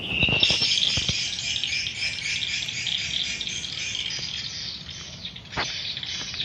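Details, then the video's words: Swiftlet colony at a swiftlet house: a loud, high, buzzing chorus of rapid overlapping chirps, gradually softening, with a few low knocks at the start and near the end. "rumah burung walet"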